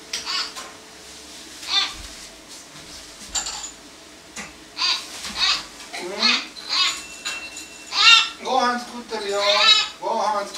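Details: A pet hill myna, about three months after arriving in late January 2020, is angry because it has no food; indoors it gives a rapid string of harsh, voice-like squawks and wavering nasal cries, demanding a meal.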